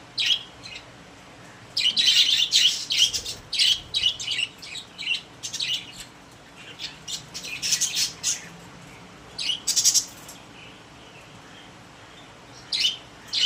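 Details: Several pet budgerigars kept in a cage give bursts of high, scratchy chirps and squawks in irregular clusters, with short quiet gaps between the busier spells.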